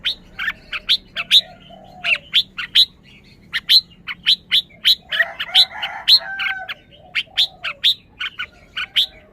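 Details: Red-whiskered bulbul chirping steadily in crisp bright notes at an even pace, broken mid-way by a short, louder mixed chattering burst before the clean chirps resume.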